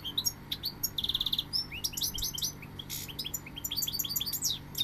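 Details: Goldfinch song mixing sharp chirps, a short buzzy trill and fast tinkling twitters that run almost without pause throughout, over a low steady hum.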